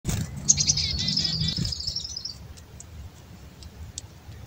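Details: A wild Black-capped chickadee, one of several being hand-fed, gives a quick run of high, thin notes that slur into buzzy, rasping calls and fade after two seconds; a low murmur sounds underneath at first.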